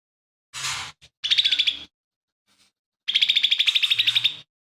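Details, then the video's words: Lesser green leafbird singing in full voice, its repertoire said to include imitations of fighting sparrow, buto kingfisher and cililin, kept as a tutor for other songbirds; a short buzzy burst, then two fast, even trills of sharp repeated notes. "CUCAK IJO MINI GACOR"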